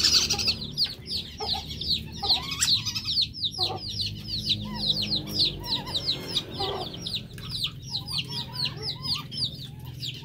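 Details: Lure recording of a male whistling duck: a steady stream of high, thin whistles, many slurred and repeated rapidly, louder at the start and thinning later, with a constant low hum underneath.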